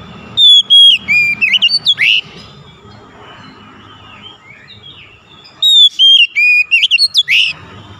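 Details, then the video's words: Gacor-style kacer song meant to stimulate a magpie-robin that has stopped singing: a quick run of bright whistles and buzzy chirps, a long near-silent gap, then a second similar rapid phrase. "TERAPI MEMANCING KACER MACET BUNYI CEPAT KELUAR SUARA GACOR"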